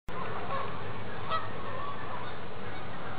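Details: A lone Ross's goose among Canada geese, which treated it as an outsider: a few short, squeaky high notes over a steady, dense din of goose chatter and background noise.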